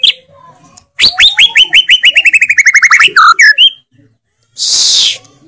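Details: White-rumped shama (murai batu) delivering a loud 'tembakan' phrase within 'isian'-filled song: a rapid, evenly repeated series of bright descending notes, about three per second, ending in twisting whistles, then a broad hissing burst.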